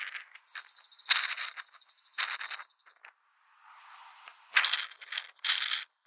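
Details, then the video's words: Bull-headed shrike, a resident bird of Korea, recorded November 2023: harsh, grating chatters, a fast rattling run, then several loud rasping bursts separated by brief pauses. "때까치 울음소리 Bull-headed Shrike"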